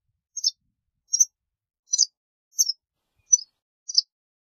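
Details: A series of six short, high chirps from a white wagtail, each a quick twittered note, spaced about two-thirds of a second apart against silence.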